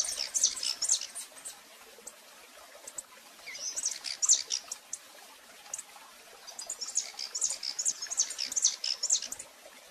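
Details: Female rufous-collared sparrow calling repeatedly in Brazil, recorded live: bursts of thin, very high chirps and chips that come in loose clusters of several notes, separated by quieter gaps, over a steady soft background hiss.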